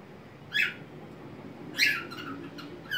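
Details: A pet white-faced cockatiel singing on a homemade swing in a small crate gives two bright, harsh chirping phrases about a second apart, with a fainter note at the end, over steady low room hiss.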